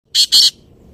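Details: Black francolin calling: two loud, harsh, grating notes in quick succession, the second longer, with a quiet background.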